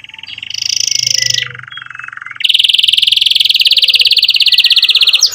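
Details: Singing canary used as a tutor for young birds and therapy for canaries that stopped singing: a high trill over a lower one, a dipping lower roll, then a long rapid bright rattle.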